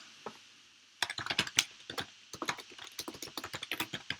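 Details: Rapid clattering keystrokes on a computer keyboard indoors after a second of quiet; no animal heard.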